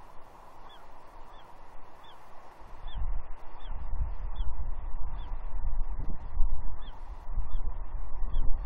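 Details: At Two Harbors, Catalina, on 30 June 2021, a juvenile female bald eagle squees at her father for fish; about ten quick, piercing falling whistles in steady succession while wind rumble builds midway.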